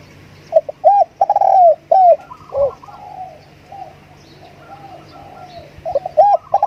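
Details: A decoy spotted dove gives rounded, hooting coos in quick clusters near the start and again at the end, while softer distant cooing and bird chatter fill the gaps over a constant low drone.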